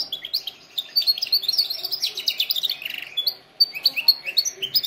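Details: Canary singing, recorded for training other canaries: rapid high chirped and trilled phrases with quick repeated notes, a short pause near the middle, then more bright rolling trills.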